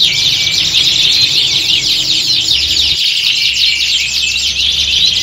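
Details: A group of canaries sings as if hung for a competition, used in contest training; intense, continuous high-pitched trilling and chirping with dense overlapping phrases and little pause.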